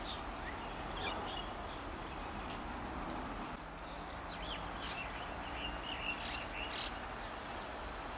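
White-cheeked starlings chatter in scattered short, squeaky chirps, several birds calling at once over a steady low rumble of distant traffic.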